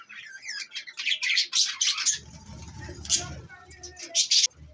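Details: Pet budgerigars, described as beautiful Australian parrots, tagged to Larkana, Sindh, chirping and warbling in quick high squeaky notes and trills, with low rumbling background noise in the second half.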